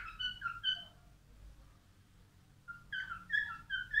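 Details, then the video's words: Male albino cockatiel singing: a run of whistled notes with bright overtones in the first second, a long quiet pause with low background hum, then a second burst of warbling, slightly falling whistles near the end. "تغريد كالوبسيت البينو"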